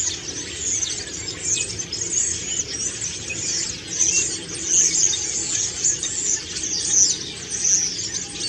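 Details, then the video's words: Common starling singing its autumn song as it preens: a steady scratchy medley punctuated by short bright whistles about once a second. "Stare. Herbstgesang und Putzen"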